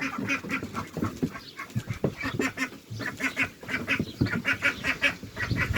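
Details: A young male Khaki Campbell duckling in a noisy duck pen gives soft, hoarse rasping notes instead of a quack, repeated quickly. This raspy voice marks a male, while females behind quack and chatter.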